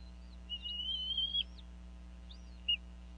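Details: Female bald eagle at a nest in Northeast Florida, calling over a fish while both parents feed eaglets around 4:40pm, January 2014; two drawn-out, thin high whistles, the first about a second long, the second short, over a steady low hum.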